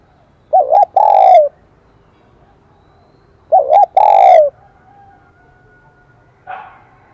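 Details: High 'kim đồng' voice of a spotted dove, a clear metallic-toned song type. Two phrases, each a short double warble followed by a long sustained coo, about three seconds apart. A brief soft call follows near the end.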